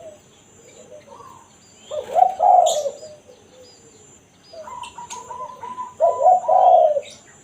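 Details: Spotted dove 'kuk satu' call for luring wild doves: two separate groups of low, hollow coo notes, with a high sharp chirp between them and a steady trilling bird running underneath the second group.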